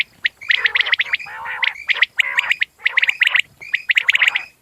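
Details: Common quail call: short bright notes at a steady high pitch over a lower, buzzy gargle. The phrases are repeated roughly once a second with crisp gaps between them.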